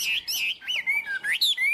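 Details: Caged tame Chinese hwamei, a fine high-pitched singer, delivering loud clear whistled phrases that swoop up and down in quick succession, bright and ringing, with brief gaps between notes.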